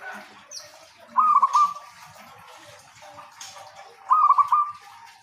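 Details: Prolific local zebra dove song used to prompt lazy zebra doves: two quick, bubbling coo phrases about three seconds apart, each a short roll of four notes, with brief faint high chirps from other birds.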